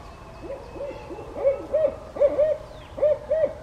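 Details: Barred owl by a pond calling his mate: a rhythmic series of mellow hoots, building to paired emphatic notes repeated about every half-second, with faint background hiss.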